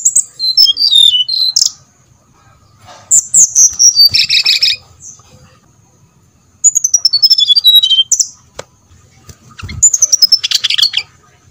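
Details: Used to provoke other brown-chested jungle flycatchers into song, this bird delivers four phrases of high clear whistles, each sliding downward, some ending in a rougher chattering burst, with short pauses between.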